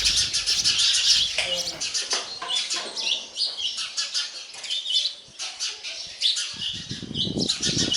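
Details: Baby sparrows beg while a parent feeds them, with rapid, scratchy high chirps in quick bursts and brief quieter gaps.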